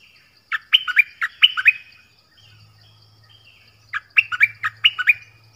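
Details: Two rapid bursts of sharp, downslurred and hooked notes from a nok dok taeng, about eight notes each, separated by a gap with a low steady hum; the song is played to young birds to copy.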